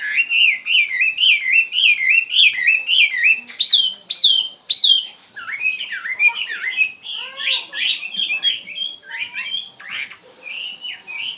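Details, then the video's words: Chinese hwamei in full song: clear looping whistles repeated rapidly, shifting into varied, jumbled phrases with sharp upward slides and warbling notes throughout. "chim hoa mi hot"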